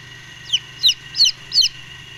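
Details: Four shrill, descending peeps from brooding Golden Misri chicks, spaced roughly a third of a second apart, over a quiet background hum.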